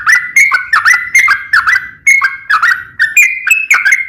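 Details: Sooty-headed bulbul (local name trucukan) in full chattering song meant to make other bulbuls sing back: quick bubbling whistles in short clusters, dipping then flattening, with a brief pause near the middle before resuming.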